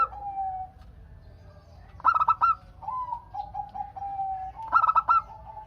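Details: Local zebra dove singing to set off answering calls from other doves: two bursts of quick staccato coos with lower, steady, drawn-out notes before and between them.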